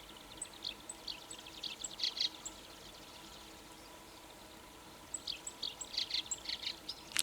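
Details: Black-browed reed warbler singing energetically in mid-May in Aomori, Japan, the latest migrant to arrive this year; two bursts of high, scratchy chattering notes with short sharp chips, separated by a quiet pause of about two seconds.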